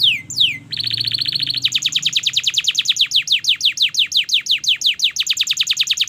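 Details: Canary training song: quick falling whistles, a harsh buzzy trill, then a long even run of rapid descending notes repeated steadily at high pitch.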